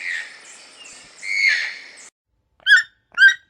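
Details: Overlapping, drawn-out croaking toucan calls blend together with a smeared, echoing quality. After a brief silence come two crisp, sharp notes.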